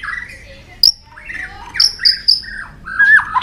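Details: White-rumped shama stirred to fighting song: softer broken phrases of sliding whistles, a sharp click, high thin notes and a closing slurred warble.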